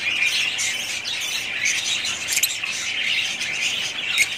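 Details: Pet budgerigars in a family group producing a constant busy chatter of scratchy squawks and twittering chirps, with a few sharper clicks and louder notes rising above the overlapping voices.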